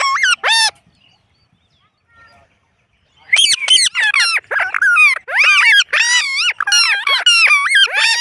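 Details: Indian ringneck parrot saying words such as mitthu and mammi: one early burst, a pause, then a long dense stream of nasal, warbling talking syllables with swooping pitch, about ninety per minute.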